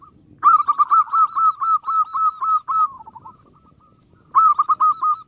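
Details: Zebra dove song for provoking rival birds: a loud, fast run of evenly spaced coos, about four per second, trailing off into softer notes, then a fresh loud burst after a short silence.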